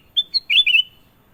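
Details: Sooty-headed bulbul in lively, long singing, a phrase said to provoke other birds: two short clear high whistles, then a slurred warbling note lasting about half a second, over a quiet, clean background.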